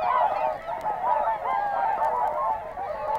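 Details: Whooper Swans recorded in the field at Matsalu, Estonia, in a 1979 nature-sound collection: a dense chorus of overlapping honking, bugle-like calls from many birds, continuous and loud throughout.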